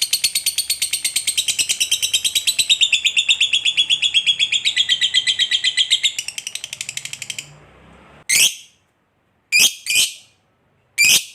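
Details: Fighter lovebird in long chattering ngekek, meant to set other lovebirds singing; about seven seconds of fast, rasping, evenly pulsed chatter fades, followed by three short separate shrill bursts.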